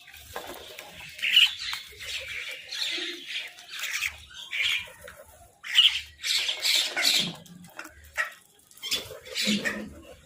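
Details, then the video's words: Crow giving a food call: harsh, hoarse squawks in short bursts, several in quick runs with pauses between, mixed with fainter chirps of other birds in an outdoor setting. "Crow Food Call"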